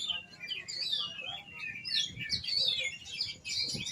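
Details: Oriental magpie-robin delivering clear, loud whistled phrases, sliding up and down in quick succession with sharp chirps between, over a quiet background.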